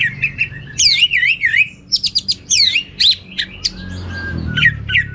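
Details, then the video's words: Orange-headed thrush delivering a varied 'gacor teler' song full of material: swooping, looping whistled notes rising and falling rapidly, clusters of sharp chips, then a short pause and a few closing whistles over low hum. "Suara Gacor Burung Anis Merah Teler Materi Melimpah"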